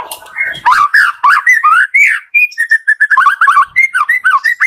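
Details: White-rumped shama singing continuously in the morning to stimulate lazy shamas: a long, fast stream of varied whistled notes that swoop and curl, delivered in quick succession throughout.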